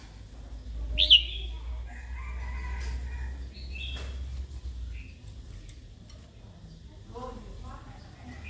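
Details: Red-whiskered bulbul hen used by bird keepers to excite a newly caught wild male into fighting; one loud, sharp chirp opens, followed by softer short notes and faint low harmonic sounds.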